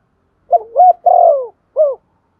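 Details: A single phrase of spotted dove cooing, meant to prompt a decoy bird to sing: a dipping note, a rising hooked note, a long falling coo and a short closing coo.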